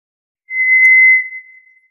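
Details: White's thrush utters one pure, drawn-out whistle at an unchanging high pitch. It swells briefly, then thins and fades, with nothing else audible.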